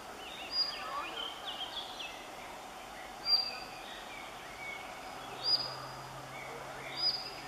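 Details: Collared flycatcher at Dębica, Poland, giving high, thin, squeaky notes every two to three seconds, with a soft chorus of other birds and a faint outdoor hiss.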